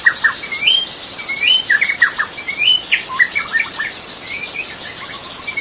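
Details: Magpie-robin singing in the forest, wild: rising whistled slurs alternating with clusters of sharp chirps, fading near the end, over a continuous shrill insect buzz.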